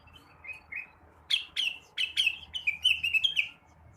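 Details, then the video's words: In the morning a blue-winged leafbird gives two soft whistles, then loud sharp downslurred notes running into rapid, varied warbling, over a low steady background hum. "kicauan rengganis atau cucak wilis di pagi hari"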